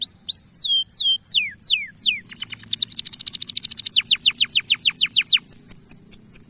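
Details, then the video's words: Male canary's song meant to coax young canaries into song: falling whistled slurs, a long rapid trill of sharp notes, ending in quick rising-falling chirps. "Suara Panggilan Kenari Jantan Agar Memikat Kenari Paud Untuk Bunyi"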